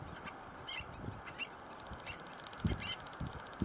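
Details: Stilt chicks at LaRiviere Marsh giving short, high peeping notes scattered through the clip, some in quick pairs, over low thumping and rumbling noise, with a faint rapid ticking in the background.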